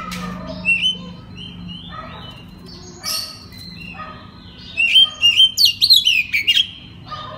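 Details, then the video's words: Night song of an oriental magpie-robin, recorded as a lure to prompt untrained birds to respond: scattered short whistles and chips, then a loud burst of rapid, twisting high notes near the end over a faint low hum. "TERAPI MALAM KACER NGEPLONG AMPUH UNTUK PANCINGAN KACER BAHAN AGAR NYAUT BUNYI GACOR"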